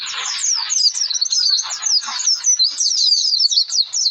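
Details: Oriental white-eye singing energetically, used as a lure song to prompt other birds to sing: a continuous rapid stream of high, thin twittering notes with quick slurred sweeps, almost no gaps.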